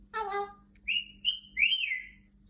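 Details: Pet parrot, indoors, growing angry right after a yawn: a harsh, buzzy, harmonic squawk, then a brief pause and a run of loud, shrill whistled notes that rise and fall, the last one drawn out.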